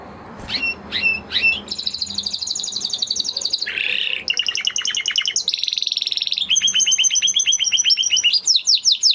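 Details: Spanish Timbrado canary singing a varied song: fast sweeping notes, then long rapid trills in successive tours, one buzzy, others clear and rolling, each tour a few seconds long and changing pitch and speed.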